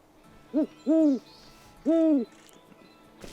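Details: Great Horned Owl at a wildlife rescue centre, hooting to a wild mated pair nearby: three deep, soft hoots, a short note then two longer, slightly arched ones about a second apart, with quiet background hiss.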